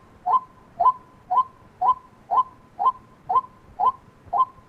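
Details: Monotonous white-breasted waterhen call, nine evenly spaced hollow notes, each a brief sharp kwak with a slight downward bend, about two per second against faint low rumble.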